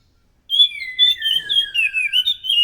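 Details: Scaly thrush song used as a lure to draw other thrushes, loud and energetic: after half a second of silence, a continuous run of warbled, slurred whistles shifting up and down, with pitch sliding gradually lower toward the end.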